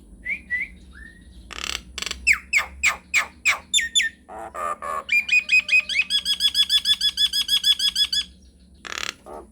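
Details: Nias hill myna in full voice, prompt recording meant to trigger replies: short whistles, a run of sharp repeated notes, harsh bursts, then a long fast rattling trill of evenly spaced notes.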